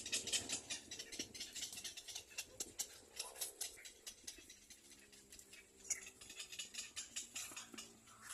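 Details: Baby little egret biting its mother's mouth, producing dense, fast rasping clicks and chatter with occasional sharper harsh notes over eight seconds.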